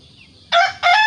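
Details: Two loud, hoarse bursts from a village chicken, the second cut off as it rings out, after a quiet, faintly noisy lead-in.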